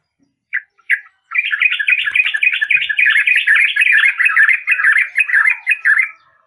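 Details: Yellow-vented bulbul: two short opening notes, then a long, continuous bubbling chatter of rapid, warbled notes lasting about five seconds.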